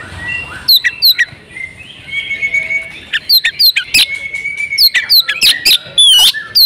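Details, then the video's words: Oriental magpie-robin female in breeding condition calling to prompt males to sing; soft whistled notes give way to sharp rapid chirps and clicks, ending in a couple of louder upslurred whistles. "pancingan kacer jitu "AUTO" kacer bisu langsung gacor ngobra \\ kacer betina birahi"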